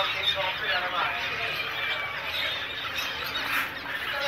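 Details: Pairs of zebra finches chatter with a dense mix of short, nasal, toy-trumpet beeps and squeaks.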